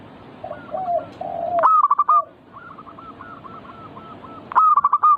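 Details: Perkutut (zebra dove) singing to trigger song in other birds. Soft lower coos lead into a loud stuttered phrase of rolling notes. A chain of quieter repeated coos follows before another loud phrase.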